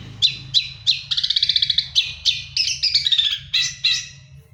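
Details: Long-tailed shrike in moult, singing energetically: quick sharp notes, a rapid trilled rattle, then scratchy warbled phrases at an uneven pace, over a faint low hum.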